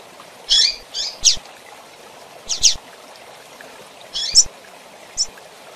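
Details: Female double-collared seedeater calling to stimulate males: clusters of short, high, buzzy chirps, two to three in quick succession, separated by pauses of over a second, over a quiet background.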